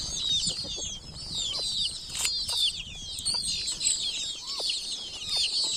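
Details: Chicks in a village setting calling together, a constant chorus of high piercing downward-sliding peeps, interrupted by a few brief broadband bursts like wing flaps or knocks, and occasional lower hooked calls.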